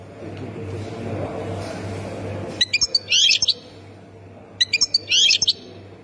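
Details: Goldfinch song in the Khemis Miliana style from Ain Defla, Algeria: after nearly three seconds of rumbling background, two quick bursts of sharp clicks and liquid twittering notes, with a constant low hum underneath.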